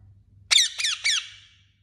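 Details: Pet parrot flying home, giving three sharp, shrill squawks in quick succession, each a bright burst that falls in pitch, the last trailing off, with a faint low hum in the background.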